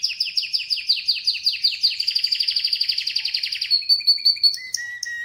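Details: Canary repeating quick descending sweeps about four times a second, speeding into a dense trill, then ending with sustained whistled tones at two pitches.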